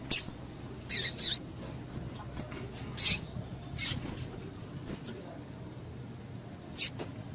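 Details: Female double-collared seedeater calling to excite males; irregular short, high, sharp chirps, several close together early, then sparse single notes, over low background hiss.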